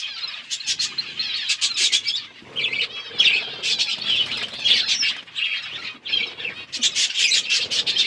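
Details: Several budgies feeding together give a dense, continuous chorus of high chirps and warbled chatter, with rhythmic ticking notes running through it.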